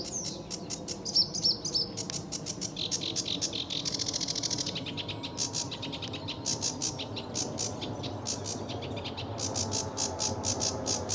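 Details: RSPB Fowlmere, July 2013, early morning: a sedge warbler's fast, clicking chatter and a short buzzy reel run over steady background hiss, with a few whistled notes at the start.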